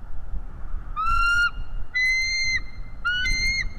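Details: Live camera recording of a bald eagle driving away an intruder eagle: three sustained, pure-toned, level-to-rising whistled cries, each roughly half a second, with overlapping fainter piping, over a low rumbling background.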